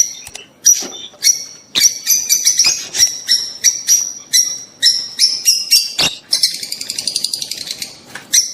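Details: Rosy-faced and Fischer's lovebirds giving mating sounds meant to stimulate the female to breed: shrill, harsh chirps in a rapid, uneven series, ending in a fast, buzzy chatter.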